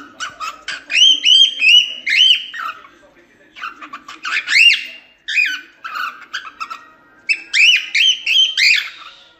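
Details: Cockatiel warbling a song for teaching another cockatiel to sing: clustered whistled notes with rising and falling sweeps, bursts of quick chattering trills, and short pauses between phrases.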